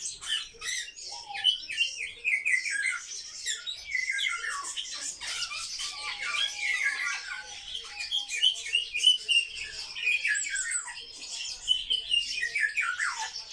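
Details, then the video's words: Kept sparrows, described as very social birds, chattering together: dense, overlapping sharp chirps and short descending notes run continuously with no pauses, several birds calling at once. "Воробьи - Sparrow"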